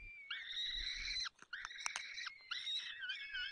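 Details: Peregrine falcon nest, Barycz Valley, Poland, 30 April 2020, afternoon, as the male feeds the young: three close, buzzy wails with wavering high overtones, broken by a brief gap and a few clicks.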